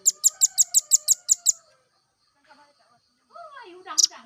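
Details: Velvet-fronted nuthatch, a song-tutoring recording: a fast run of eight sharp, high chips, about six per second, followed by a pause and a brief downward-slurred note.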